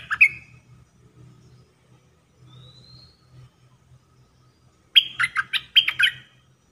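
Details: Caged decoy red-whiskered bulbul singing the dok taeng style, used for bird trapping. A short note opens, then a low hum and a faint rising whistle, then two quick bubbling phrases of warbled notes.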